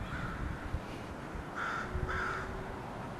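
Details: Crows landing at a house give two or three hoarse, flat caws spaced about half a second apart, over a low rumbling background.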